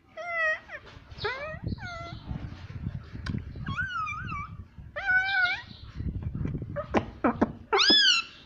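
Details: Talking pet parrot, said to say "Mummy": a run of wavering, harmonic, voice-like syllables in short bursts, some rising and falling, ending on a loud upward-sweeping squawk, with low household rumble beneath.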